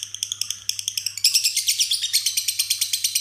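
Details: Lovebird in ngekek song, one foot raised, with isian fill-ins like jenggot and cililin; spaced, clipped high chirps for about a second, then a sudden louder, denser burst of buzzy, trilled chattering that runs on steadily, with a faint background hum.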